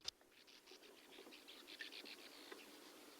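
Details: Sand martins (bank swallows), which nest in big colonies dug into sand pits and quarries, giving a dry, buzzy, fart-like chatter: short raspy notes repeated several times a second, overlapping like a busy colony.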